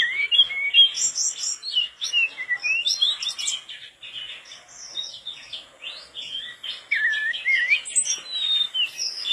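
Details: Mangrove blue flycatcher (tledekan bakau) singing persistently, recorded as tutoring material for cage birds: a long, dense run of high, varied chirps, trills and short whistled slurs, delivered quickly with barely a pause.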